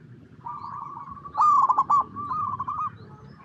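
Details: Local zebra dove (perkutut) singing in its natural habitat, as a lure to make other zebra doves respond; soft buzzy coos frame a single loud, broken, trilling coo burst in the middle.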